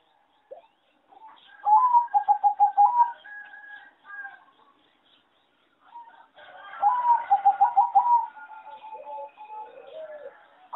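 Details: Singing zebra doves bred on farms for competition, their melody judged poor: two bursts of rapid rhythmic cooing, each about one and a half seconds long, separated by a pause with scattered soft notes.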